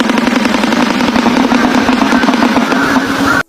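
Shoebill clattering its bill: a fast, dry, machine-gun-like rattle of knocks running about three seconds, over a steady low hum.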